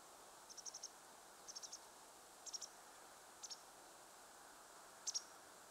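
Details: On the shore of Lake Teganuma, where many black-faced buntings flew close, one gives very high, thin ticking calls in quick clusters of two to four, spaced about a second apart, over a soft steady hiss.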